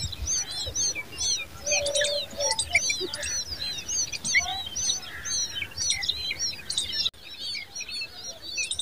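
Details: Common babblers protecting their young in a nest give a busy, high chatter of squeaky, twittering notes that overlap without pause, with a few lower whistled notes among them.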